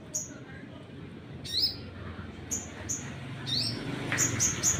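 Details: Sunbird 'nembak' song meant to provoke other birds: sharp high chirps and two sweeping slurred notes, closing with three rapid bright chirps, over light background noise.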